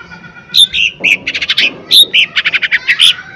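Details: Vigorous song of a lesser green leafbird used to provoke a reply: a nearly continuous stream of high whistles, short buzzy notes and quick chattering runs, with the phrases tightly packed.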